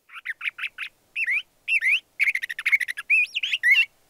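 LeConte's thrasher gives a quick run of varied notes: burry chirps, then rising and falling whistled slurs, several per second. The background is quiet.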